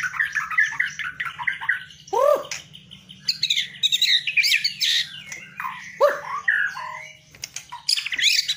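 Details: Singing white-rumped shama, kept bird praised for its bowing style and showy filler phrases, mixes quick warbled twitters with two loud, deep, swooping whistles, and sharp high chips near the end, over a low steady hum.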